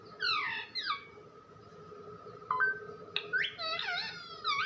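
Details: Pet parrot talking indoors: two harmonic, sharply falling squawk-like phrases at the start, then quieter rising and wavering voiced sounds over a steady background hum.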